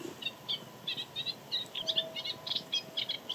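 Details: One of two singing male moustached warblers at Jaroslavice fishponds, Czechia, recorded on 31 March evening or 1 April morning 2022 in rather unpleasant weather: quick, high, chattering notes in short bursts, three or four a second, over faint hiss.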